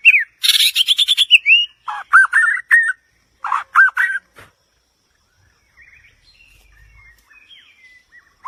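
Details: White-rumped shama song: a rich run of rapid harmonic notes and buzzy phrases, then looping whistled notes in clusters, fading into soft, faint chatter.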